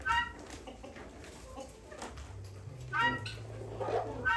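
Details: Guinea fowl, an extremely territorial bird, producing brief harsh clipped calls at the start, middle and end, with a faint low hum between them.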